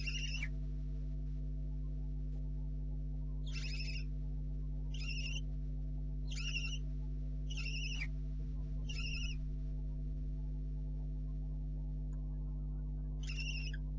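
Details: Barn owl owlets calling at the nest at night, 04:30 on 4 July 2013, two owlets left; seven short rasping hiss-snores, a quick opening one then a run spaced about a second apart, over constant low hum.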